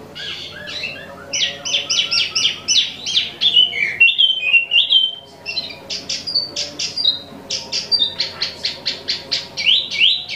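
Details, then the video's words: Imported Wambi mini, also named Tieu Mi, singing actively: clusters of rapid high chirps in rattling runs, a brief pause, then slurred whistles and more quick chirp series. "Wambi Mini Asli Impor/Tieu Mi Gacor 12 Menit Non Stop"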